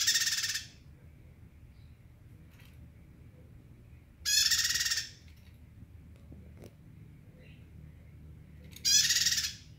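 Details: Three loud, raspy buzzing phrases from a bar-winged prinia, each under a second long and spaced about four seconds apart, with near silence between.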